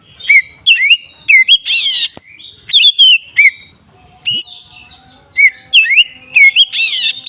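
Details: Kacer, or magpie-robin, singing ngeplong to stir up rival magpie-robins: bright whistled notes in quick groups, interspersed with rough scratchy bursts and a faint low hum.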